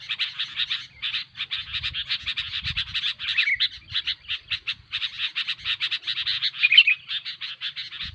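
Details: Dense, excited chatter of the sooty-headed bulbul (kutilang) used as a luring track: steady rapid harsh notes, an occasional short whistle, faint low noise below.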